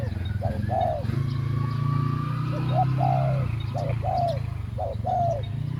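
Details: Decoy spotted dove luring wild doves, giving two-part 'khu-ang' coos: a brief lead note, then a drawn-out arched coo. Four such pairs come in even succession over a steady low engine hum.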